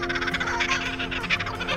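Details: A kookaburra in the Australian outback gives its laugh: rapid, rolling chuckles that rise and fall like human laughter, with soft background music. The call is thought to mark territory.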